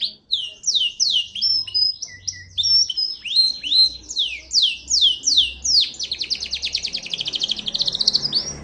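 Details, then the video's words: Local island canary singing a long run of high whistled slurred notes, each falling in pitch, speeding into a fast regular trill of about two notes a second in the second half, with faint low hum behind. "تغريد كنار جزري بلدي"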